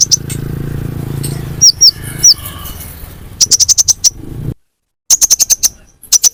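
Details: Sunbird, locally called kolibri ninja, used as a bird-attracting lure: three soft downslurred notes over a low hum, then quick bursts of piercing high chips with a short silence between them.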